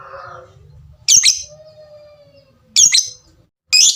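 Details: Lovebird giving the tik call style: three loud, sharp, scratchy high notes spaced one to two seconds apart, with quiet low hum between them.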